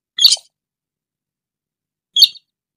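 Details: Sintar bird lure call: two short, high, scratchy chirps about two seconds apart, with silence in between.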